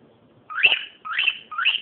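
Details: Cockatiel calling indoors: three loud rising whistled calls sweeping up and holding high, each about a third of a second, over faint room hum.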